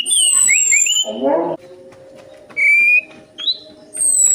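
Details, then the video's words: Orange-headed thrush song played as a lure to prompt a caged bird to sing: clear whistled phrases rising in steps, alternating with high thin descending notes, plus a brief low harmonic burst and faint background hum. "PANCINGAN ANIS MERAH AMPUH INI, ATASI SUSAH BUNYI ANIS MERAH"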